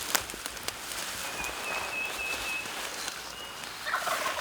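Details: Male Wild Turkey gobbling from the roost on Maryland public land during a spring hunt; a short rattling gobble bursts out near the end, after thin high whistles and chirps from other songbirds.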